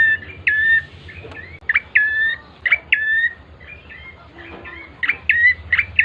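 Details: Bar-winged prinia song used to lure other birds into singing: sharp chirps followed by flat whistled notes around mid-high pitch, repeated in short bursts with pauses, over a low steady hum.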